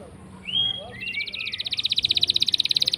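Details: Canary song used as a lure for silent canaries: a few soft slurred whistles, then a fast, rising-loudness rolling trill of rapid pulsed notes; faint background noise.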